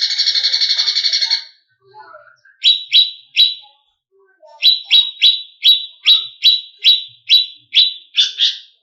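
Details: Agitated greater green leafbird song for provoking competition birds. A harsh buzzing rattle gives way to soft twitters, then spaced, loud, sharp chirps that speed into a steady run.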